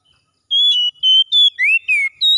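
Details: Morning song of an Oriental magpie-robin, a quick run of bright level whistles followed by a rising then falling slurred note, each phrase short and evenly spaced, with no other sounds.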